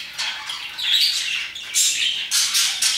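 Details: Parakeets chirping and singing around 2pm: bright, scratchy chatter sits in the upper range, with broadband squawky bursts near the start, middle and end of the short stretch.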